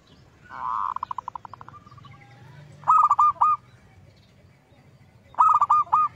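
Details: Zebra dove song, played as a lure to provoke other zebra doves. A soft, accelerating trill is followed by two bursts of three or four clipped, mellow cooing notes about two and a half seconds apart.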